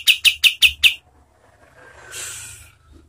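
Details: Cotton tail song used as a training song for competition birds: five sharp, high, evenly spaced chipping notes in one second, then a soft hissing rustle.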